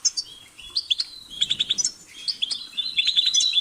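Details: Goldfinch song in a short burst: quick liquid twitters, a few rising whistled notes, then a rapid run of repeated chirps.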